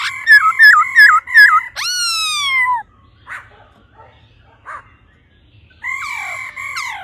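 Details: Calling to rouse the male, a female laughingthrush gives quick looped chirps, then a long downward-sliding whistle, a quiet gap with faint notes, and a return of steady harmonic whistles.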